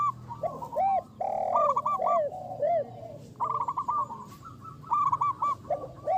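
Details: A chorus of local zebra doves, a champion lure with a big voice, singing eagerly. Drawn-out swelling coos alternate with quick stammering trills of short notes, several birds overlapping, with brief gaps between phrases.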